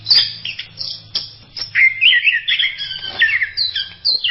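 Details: Orange-headed thrush giving a varied master song, part of a collection used to tutor songbirds: rapid run of chirps, trills and slurred whistles in quick succession, rich and continuous, with a faint low hum underneath.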